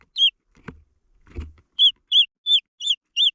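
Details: Green junglefowl chicks calling: a series of high, thin, down-slurred peeps repeated about every third of a second, with two soft low thumps or rustles between the first peeps.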